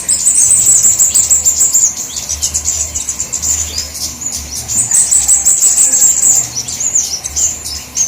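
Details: Flowerpecker lure recording, several kinds mixed: loud, shrill, fast chattering trills in two long bursts, separated by quieter scattered ticks, with a faint low hum throughout.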